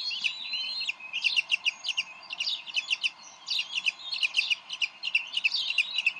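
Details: At the Decorah nest on 30 May 2012, two bald eagle parents argue over a delivered fish. Rapid bursts of clipped, high piping notes come in quick clusters, pausing briefly between runs.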